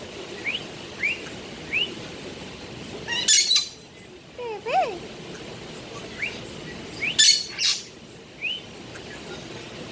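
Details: Budgerigar talking and singing: short high upward chirps spaced about a second apart, two harsh noisy bursts, and a pair of lower arched whistled notes in the middle.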